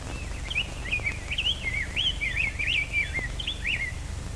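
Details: Wild rose-breasted grosbeak recorded in May at Stewart Park, Ithaca, perhaps the first recording of a wild bird, singing a rich robin-like warble of rising and falling phrases over low hum and hiss of an old recording.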